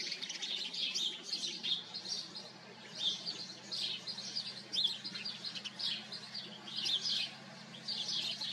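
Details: House sparrows in a colony: many overlapping bright chirps and cheeps in busy bursts, rising and falling in loudness throughout, over a faint low hum.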